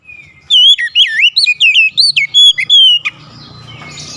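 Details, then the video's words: Loud, clear whistled song of an Oriental magpie-robin: a rapid run of looping, up-and-down slurred notes lasting about two and a half seconds, ending in a long steady whistle. "SUSUNAN KICAUAN KACER YANG INDAH DAN ENAK DI DENGAR"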